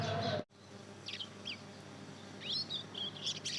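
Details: A two-month-old Mozambique canary and canary hybrid practises its first song: a sharp click, then scattered thin, high upslurred notes that grow into a short twittering phrase.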